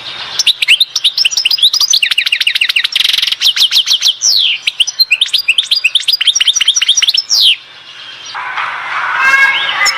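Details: European goldfinch at Oued Zhour, Skikda, delivering a long, nearly continuous song of rapid twittering notes, swooping slurs and short buzzy bursts over about seven seconds, followed by softer background rustle.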